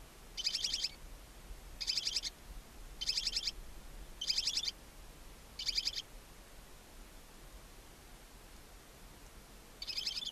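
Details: Barn owl chicks, two newly born owlets left alone in their chimney-side nest box at Ságvár, Hungary, on April 23, 2024, on a nest camera: harsh hissing snores about every 1.3 seconds, then a pause and one more.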